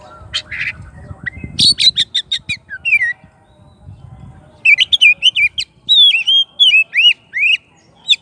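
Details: Oriental magpie-robin in full song calling its rival: rapid chips and whistles, a pause, then a loud repeated series of arched slurred whistles about two per second.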